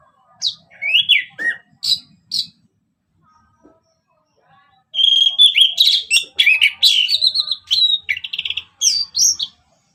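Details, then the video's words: Orange-headed thrush singing ngeplong, used as a lure for other birds: a few scattered whistled notes, a pause, then a dense, rapid stream of varied chirps and warbled whistles. "Kicauan Anis Merah Bikin Emosi Dan Gacor"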